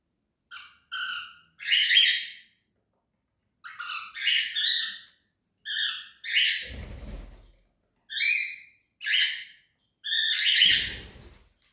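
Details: Cockatiel giving a series of short harsh squawks and chirps in bursts, some clipped and some drawn out, spaced irregularly over about eleven seconds, with occasional thumping noises.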